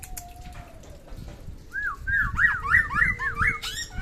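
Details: Samyong from NTB singing in fine form: after a quiet start, a run of loud slurred whistles rises and falls quickly in a rapid repeated series over the last two seconds, with faint background noise.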